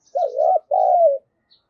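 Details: A single coo phrase from a decoy spotted dove used to provoke calling: a low warbling note with a dip in the middle, a brief gap, then a longer smooth coo sliding gently down at the end.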